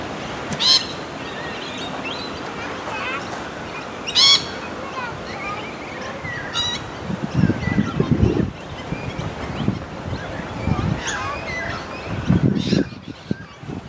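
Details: Sulphur-crested cockatoo giving short, harsh, raspy screeches in separate bursts spread over several seconds, set against a steady outdoor wind-like hiss, low rumbling thumps and faint chirps from other small birds.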